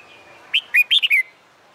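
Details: Red-whiskered bulbul singing in the summer daytime sun, a contest-style song for training other birds: a single quick phrase of five bright, warbled whistled notes, rising then falling, over a quiet background.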